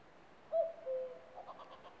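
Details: A single common cuckoo cuck-oo, a short higher note falling to a longer lower one, clear over a quiet background with a faint rustle afterwards.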